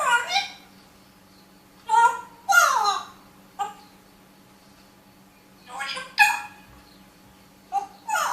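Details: A parrot speaking in a room: clusters of short, scratchy, voice-like syllables with falling glides, separated by silent gaps of a second or more.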